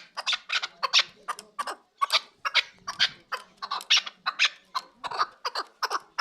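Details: Kabodiyon district chukar partridge, kept for sale, delivering repeated coarse chuk calls in short uneven bursts, roughly two or three per second, with a brief pause near the middle.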